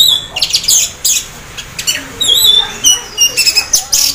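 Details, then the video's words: Orange-headed thrush (anis merah), half in breeding condition, singing in the teler style used to prompt other thrushes to sing: rapid, varied high whistles and sharp chips in quick bursts, some notes sliding downward. "anis merah teler setengah birahi bagus untuk pancing anis lain agar ikut bunyi"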